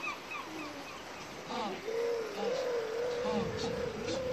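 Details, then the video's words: African penguin (Spheniscus demersus) gives a few short nasal honks, then a long, steady, gently wavering braying note held for over two seconds. "Die Laute des Brillenpinguins"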